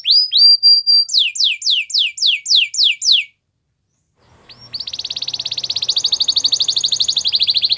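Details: White Belgian canary song: clear sustained whistles, then a row of about eight descending swept notes, a short silence, and a long, even, fast rolling trill building in volume.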